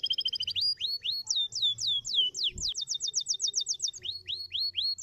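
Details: Canary song of rapid trilled notes leading into repeated swooping whistles that fall in pitch, then a fast run of short high notes and further descending whistles, with a soft low hum behind.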